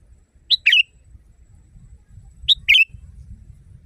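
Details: Loud, natural sooty-headed bulbul song meant as a training recording for caged birds; two short phrases, each a clear high chirp followed by a rolling, bubbly double note, about two seconds apart over soft low rumble.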